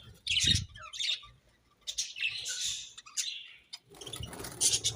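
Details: Budgerigars chirping while eating, a mix of short bright chirps and warbled notes with pauses between bursts, low knocking and handling sounds underneath, and a dense scratchy chatter toward the end.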